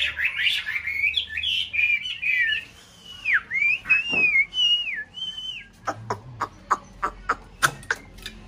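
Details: Chinese hwamei kept in an aviary for conservation in a mountain town, paired in breeding season: loud, varied whistled phrases with slurred rising and falling notes, then a run of sharp repeated clicks or taps.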